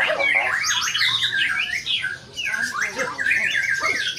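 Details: Caged white-rumped shama in full performance, delivering quick rising and falling whistles and harsh slurred notes in a continuous stream, with overlapping chatter from other birds nearby.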